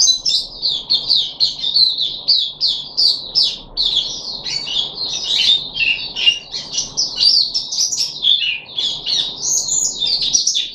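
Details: Continuous, lively chatter of a caged puff-backed bulbul on its third deworming day, 14 July 2021: dense, tumbling high twitters and squeaky slurs with hardly a break.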